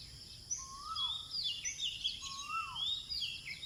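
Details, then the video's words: Sunrise birdsong in an eco park, Bandar Seri Botani, Ipoh, Malaysia. Two clear whistles rise then drop, about 1.7 seconds apart. High chirps and trills sound among them over a constant shrill insect hum. "nature & birds singing"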